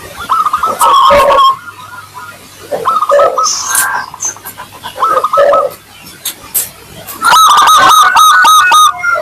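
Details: Local zebra dove with a clear, crystal-toned voice, used as a lure to make other doves answer quickly: wavering, steady-pitched coos broken by stuttering bursts, with short gaps between phrases.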